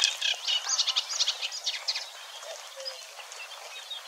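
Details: Eurasian Reed Warbler singing at Wetering West, Overijssel, Netherlands, on 6–7 May 2022, burbling contentedly and imitating a little; a chattering run of high, rapid notes for two seconds, then fading into quieter scattered chirps.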